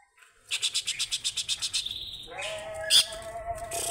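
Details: Greater green leafbird calling to a rival: a fast, even series of about twelve clipped, buzzy notes, then a brief whistle and a lower, steady tone.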